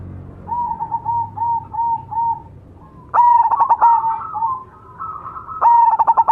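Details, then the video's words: Cemani zebra dove song. A run of soft evenly spaced coos precedes two loud phrases, each a long ringing note followed by a quick stutter of pulsed coos. Low background rumble throughout. "suara burung berkutut cemani gacor mangung"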